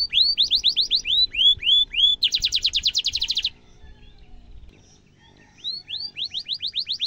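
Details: Canary in full song, a sharp long roll used as a training model for young canaries: rapid series of high rising whistled notes, about three per second, speeding into a dense fast trill, a short silence, then the rising notes resume.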